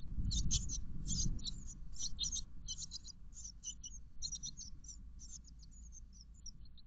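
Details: Tit nestlings, 13 days old, begging inside a garden nest box on the morning of 5 May 2021, recorded by a fixed camera: rapid, dense high chirps in continuous bursts over low rumbling.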